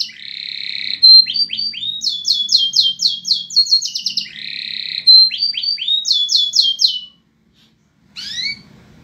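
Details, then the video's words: Canary singing while mating: buzzy trills, upslurred whistles and fast rolls of high descending notes, the full phrase repeated twice before a pause and a short final call, with faint low background hum. "kenari kawin"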